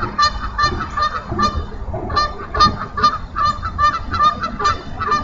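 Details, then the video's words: Bald eagle at a Minnesota nest during hatching, as a small pip shows in the second egg while the adult feeds, mid-morning in April: a series of high, thin, harmonic chirping notes repeated about twice a second, with a low rumbling background. "MNBound Eagles Pip in the Second Egg!"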